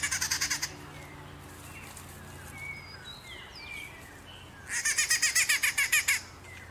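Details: Rufous-naped wrens in a duel, in countryside or town. Harsh, rhythmic rasping bursts repeat rapidly, about twelve pulses in under a second. A long second burst follows after a quiet gap with faint scattered chirps, over a steady low hum.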